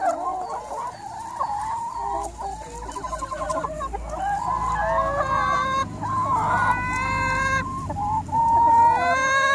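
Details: Hens in a flock of 180 birds call together: a dense, overlapping chorus of harmonic, rising-and-falling squawks and clucks, some buzzy and strained, layered continuously with no pauses.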